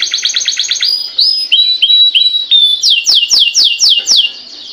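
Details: Canary song played to start other canaries singing: a quick buzzy trill, rising whistled slurs, clear pure tones, then a series of loud downward-sweeping notes repeated about four times a second.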